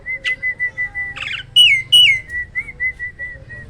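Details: Hybrid myna from a breeding farm singing loudly: a chain of short even whistled notes, a harsh rasping burst, two loud ringing upslurred whistles, then more soft repeated whistles.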